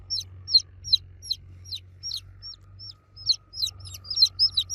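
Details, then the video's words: Baby chicks cheeping loudly for the mother hen, a steady stream of high downward-curving peeps, several birds overlapping toward the end, over a faint low hum. "Baby Chicks Chirping Sound For Kids Chicks Cheeping Loudly For Mother Hen"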